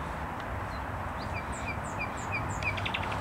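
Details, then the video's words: Common nightingale singing in Skarszewski Park, Poland, on 7 May 2021: a run of clear, high whistled notes repeated about three times a second, some sliding upward, over a steady low rumble of background noise. "Śpiew słowika rdzawego w Parku Skarszewskim"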